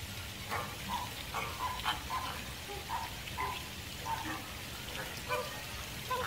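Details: American flamingo calling: a series of short nasal honks, each a few tenths of a second long, given roughly every half second to second with uneven spacing, over a steady background hiss.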